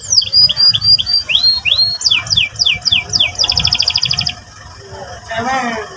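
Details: Canary twittering and rolling song, used to provoke a young canary to sing: a string of clear slurred whistles repeated several times a second, then a fast even trill, followed by a softer buzzy warble.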